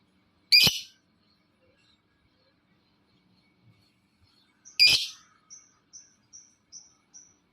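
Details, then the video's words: Lovebird calling to draw other lovebirds into calling: two loud, harsh chirps several seconds apart, the second followed by a run of short, thin, high notes repeated about every half second. "Suaranya Memancing Labet lain Ikut Bunyi"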